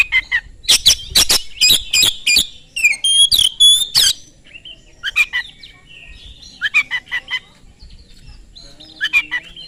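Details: Oriental magpie-robin singing fast as a lure to draw replies from other magpie-robins: dense rattling bursts and ringing whistles at first, then quieter spaced clusters of scratchy notes.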